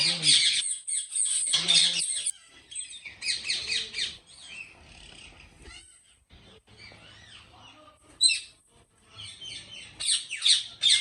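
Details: Ringneck parrots at a large breeding farm in Pakistan, giving harsh, high screeching squawks in loud bursts that fade to quieter chatter mid-clip before flaring again; faint human voices and a low hum underneath.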